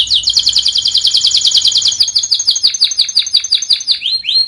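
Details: Canary singing on a training recording for birds that no longer sing: a rapid, dense trill of high notes that gradually slows into separate, rising whistled notes.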